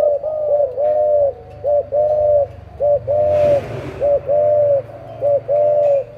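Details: Spotted dove, a parent breeding bird, delivers a rhythmic series of low hollow coos, short notes alternating with longer drawn-out ones, about ten notes in six seconds, with a brief rustle in the middle.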